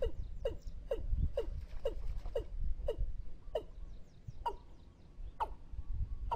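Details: Watercock lure calls for trapping: a run of about thirteen quick, falling, knocking notes, slowing toward the end, over low rumble.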